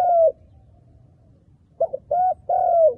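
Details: Decoy spotted dove calling to attract wild doves for trapping; a long mellow descending coo, a quiet pause, then a quick stuttered note, a short coo and a longer sliding coo, close and clear.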